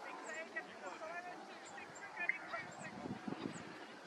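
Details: Barn swallows in a reed bed in the Biesbosch, heard from a bridge, twittering together in a dense, overlapping chatter of warbles and squeaky notes, with scattered higher chirps throughout.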